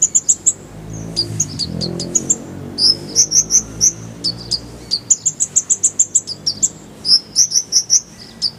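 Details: Kolibri ninja sunbird tutor song with rolling bursts: dense, very high chips and twittered notes delivered almost continuously, some in quick runs of three or four, over a faint low background hum.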